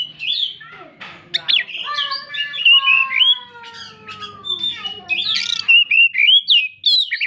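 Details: Oriental magpie-robin song mixing sharp rising whistles and chirps with a long drawn, gently falling tonal note held for several seconds, followed by a burst of quick varied chattering notes.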